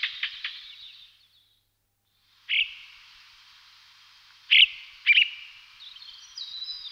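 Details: Blue rock thrush giving a few short, sharp notes spaced by long pauses, each followed by a long ringing echo trail, with a brief thin high phrase near the end.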